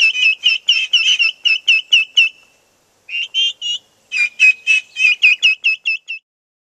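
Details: Upset domestic turkey poults on a farm calling when chickens wander out of view; rapid runs of shrill piping peeps, a brief pause near the middle, then another burst of repeated high whistled notes.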